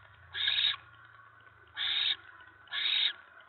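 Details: Three rasping hissing screeches, evenly spaced about one and a quarter seconds apart, from a barn owl nest during a mouse delivery on 10 November 2017 in the evening, with a low hum beneath.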